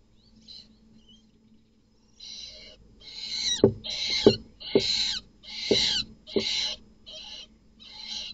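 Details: Barn owls in a nest box at night, as an unrelated male attacks two chicks, give harsh, rasping hisses and screeches in a quick series of short bursts, with a few dull knocks and thumps underneath.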